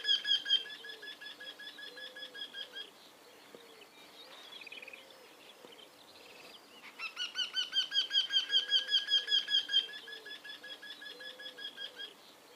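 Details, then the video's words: Bird in a tree giving bursts of quick, high, repeated chirps, several per second, with a quieter pause between runs and soft lower calls in the background. "The Sound of Bird 🐦 From a Tree 🌳 Made By Tweet 🐥"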